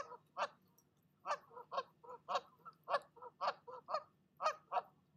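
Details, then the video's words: Female goose defending her nest from a visiting goose: spaced, harsh, nasal honks, some single and some in close pairs, loud and irregular across the recording. "Mama Goose does NOT like visitors, and she'll let you know it!"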